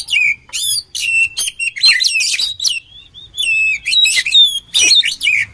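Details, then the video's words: Oriental magpie-robin singing a rich varied song used to train birds: quick bursts of whistles, clicks and rising-falling sweeps, about two phrases a second with short gaps between. "SUARA KACER KOMBINASI AMPUH UNTUK MELATIH MENTAL KACER"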